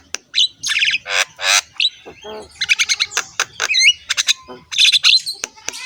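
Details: A rough-voiced Javan myna sings while bobbing its head. Its mixed song runs through harsh nasal buzzes, sharp clicks, and twisting whistles, packed densely over a few seconds and heard clearly against a quiet background.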